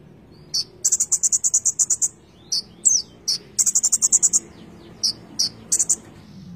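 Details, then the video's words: Konin songbird in steady song, full of fill-ins. Two bursts of fast high buzzy trill alternate with isolated sharp notes and a slurred whistle, over a low background hum. "Konin gacor full isian"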